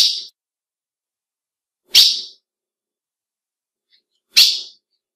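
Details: Female ultramarine grosbeak giving the call that excites males, who recognise it: three crisp, piercing chip notes, each with a sharp attack and quick fade, roughly two seconds apart, with silence between.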